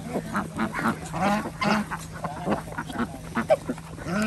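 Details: Village farm ducks in Andhra Pradesh, India, calling at feeding time with chickens and geese present; short, rapid, clipped quacks repeated in choppy bursts over a faint steady hum.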